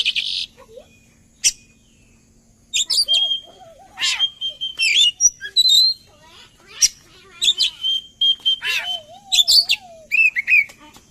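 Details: Oriental magpie-robin lure song meant to make birds sing along: bursts of sharp scratchy notes and fast whistled flourishes, a sliding lower whistle near the end, a quiet opening, and a steady faint hum throughout.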